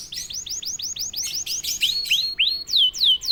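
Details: Caged canary singing once prompted: fast rolls of high, curved chirps, first a quick even run, then slower, louder sweeping notes that slide downward, all very high-pitched and ringing.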